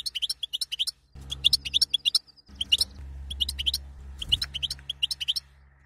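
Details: Dense, excited chattering of a female European goldfinch, her batbata used to arouse a caged male for mating: rapid strings of high, thin chirps with brief pauses and a steady low hum in the background.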